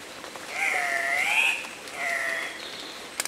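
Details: Male Andean cock-of-the-rock displaying at a morning lek near Pacto Sumaco, Napo, Ecuador, in February 2015: two drawn-out, nasal, wavering squealing calls, the first long and arched, the second shorter, ending in a few clicks.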